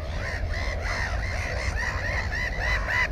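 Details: Black-headed gull at its nest holding one egg and one chick, filmed with a GoPro 4 on 15 May 2016: harsh, arched calls repeated rapidly, several birds overlapping, over a steady low rumble of wind.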